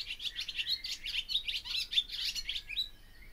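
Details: Barn swallow pouring out a dense, scratchy twitter of quick chirps and warbles, nearly continuous, fading into a thin rising whistle at the close.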